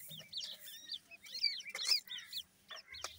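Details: Teetar, or grey francolin, chicks cheeping in a tangled high chorus of short curved notes at about two per second. Soft rustling and a low hum sit underneath.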